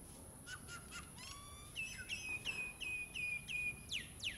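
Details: At 08:27 on 8 June 2017, a common myna at its nest site in an old utilities box in Ipoh, Perak, Malaysia, gives a varied run of chattering notes, a slurred whistle, then bright clicking chucks about three a second.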